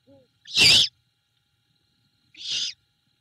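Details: Wild great horned owl at a nest at Savannah, on a cam, on 21 February 2022 in the evening. The female takes a rat from the male and feeds her owlet, giving yips and yeeps. Two short, harsh, hissing bursts about two seconds apart.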